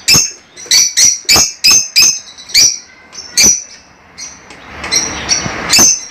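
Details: Pet lovebirds calling with a rapid series of shrill, piercing chirps, about eight in quick succession, then softer scattered twitters.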